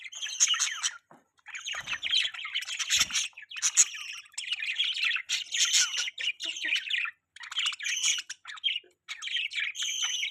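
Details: A flock of pet budgies keeps up nonstop scratchy warbling chatter, with rapid buzzy chirps and squawks running together, broken by a few short pauses and a couple of soft thumps.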